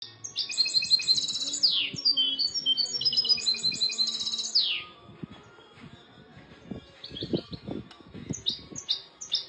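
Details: European goldfinch singing a rapid, tinkling twitter of high, bright notes with quick downward slurs for about five seconds, then a quieter stretch of scattered phrases over low tapping knocks.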